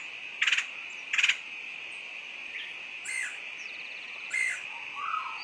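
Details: Woodpecker lure calls: two quick stuttering rattled bursts close together, then softer scattered notes, with a constant high-pitched hum throughout.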